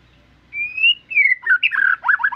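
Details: White-rumped shama song opening with a long, pure rising whistle, then a falling slurred whistle, breaking into quick, rich warbling notes that rise and fall.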